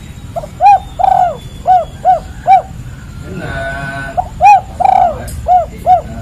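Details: Spotted dove, called tekukur or derkuku, giving the call style known as kuk 3: low hollow coos repeated in quick pairs and triplets, some notes drawn out and wavering. A brief harsh buzzy burst comes midway, with a steady low background hum.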